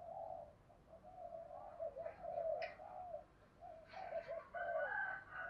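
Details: Spotted dove kept as a decoy to stimulate other doves; low, hollow coos repeated in irregular phrases, with clicks and higher thin chirps from other birds joining toward the end.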